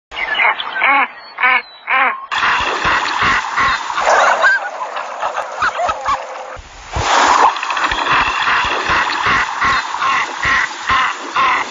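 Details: Male Canvasback display call: a quick run of soft, harmonic cooing notes about twice a second, followed by rough, broadband splashing and water noise.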